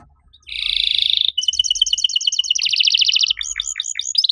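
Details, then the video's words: Canary singing master song to stimulate canaries that have gone quiet: a buzzy roll, then a steady rapid two-tone trill, a faster rattling trill, and choppy falling notes. "MASTERAN KENARI AMPUH BUAT MANCING KENARI LAIN YANG MACET BUNYI! - CANARY SINGING"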